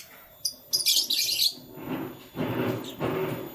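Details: Canary chirping in the morning: a burst of bright, high twittering notes for under a second, followed by duller low thumps and rustling from the room.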